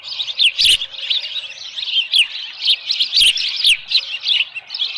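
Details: At an osprey nest on Dunrovin Ranch, 13 July 2018 around 7:10 AM, a small live fish in the nest: loud, shrill, wavering chirps in steady succession, two short thumps interrupting.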